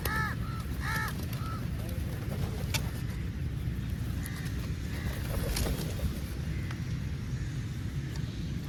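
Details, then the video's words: Crows calling while feeding together: a quick burst of hoarse, repeated caws at the start, then only faint, scattered notes. A constant low, engine-like rumble fills the background. "Crow sounds"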